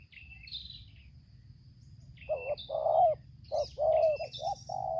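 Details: In Lampung, Indonesia, a trapper's decoy spotted dove and a wild bird trade 'tarik akar selang nguku' song: after a quiet start with high bird chirps, a burst of grainy low coos, short notes then longer held ones.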